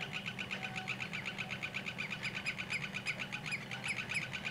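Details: A male Common Greenshank courting his mate before mating, about an hour before sunset, gives a steady run of clear ringing whistles, about four a second, over low rumble from a sawmill some 50 metres behind.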